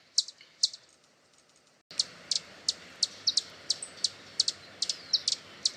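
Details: High, sharp hummingbird chips, first two alone in near silence, then a denser run of ticks with a few brief thin squeaky notes over a louder background hiss.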